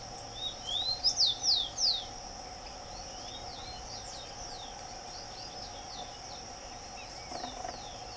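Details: Wild Rufous-collared sparrow song: a thin rising whistle then three or four bright downslurred notes in quick succession, followed by faint distant phrases, with continuous insect drone in the background.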